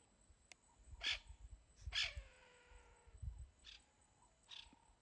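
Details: Crested Francolin at Ulusaba, crest fully erected, gives harsh, loud alarm calls in short bursts near hyena tracks; such calls may indicate a passing predator such as a bird of prey or leopard.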